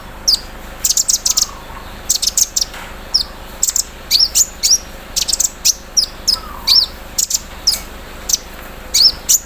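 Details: Caged olive-backed sunbird (konin) singing in the morning while set out in the dew, delivering its embroidery-machine imitation in a 'cerrr' style: rapid high, thin chirps and sharp downslurred notes in quick bursts, with faint lower chatter in the background.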